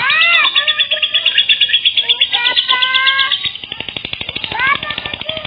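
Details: Lure calls of a lovebird used to attract other lovebirds: harsh, high, rapid chatter pulsing about three times a second, with a few drawn-out whistled notes and a short rising squeal near the end.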